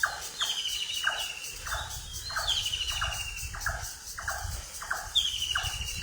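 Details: Dawn bird chorus on a foggy morning in Manikganj, Bangladesh: a rapid series of coarse, falling notes, roughly two per second, under long sliding whistles, with constant insect buzzing in the background.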